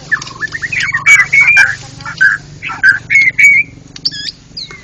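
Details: White-rumped shama singing in the ngeplong style at a national songbird contest. Loud clear whistled phrases, some rising and some held level, mix with quick chirps. Steady low hum and other bird sounds run underneath.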